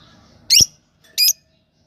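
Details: Two short, shrill squeaks from a lovebird, sharp and high, about half a second apart, in a quiet room.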